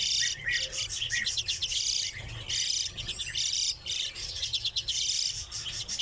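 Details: Captive redpolls calling in a busy chorus of high, rapid twittering and buzzy trills, bursts repeated almost continuously with brief pauses, and faint low background noise.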